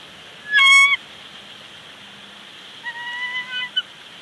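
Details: Bald eagles at their nest with two chicks at Big Bear Lake, 15 April 2019, on a live nest camera as the male arrives with a branch and the female rises to feed: a loud, sharp, harsh note, then a longer series of thin whistled notes.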